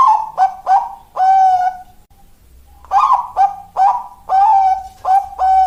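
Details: Zebra dove in the "malaikat maut" song style, named as good for breeding: rapid run of short clipped coos with a sustained ending note, then after a brief pause a longer run of repeated coos.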